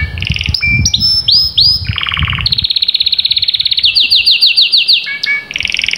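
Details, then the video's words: Canary in full song used to stimulate other canaries: quick upward-swept whistles, a brief buzzy roll, a long even trill at steady pitch, then rising rapid notes and a final trill, low background rumble. "تمتلك كناري لم يغرد منذ فترة؟أسمعه هذا التحفيز"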